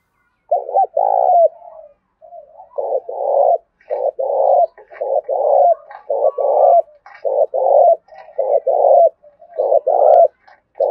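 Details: Loud-voiced spotted dove of the Thổ Đồng voice style, a lure bird, singing a full series of throaty, mellow coos in uneven groups of two or three, nearly one per second, with faint clicks between.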